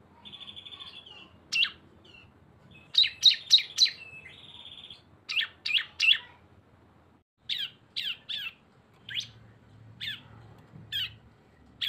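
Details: Cisem in full song, a lure combining two birds: sharp high chirps in quick bursts alternate with steady buzzy trills, notes repeated several times a second with short pauses between phrases.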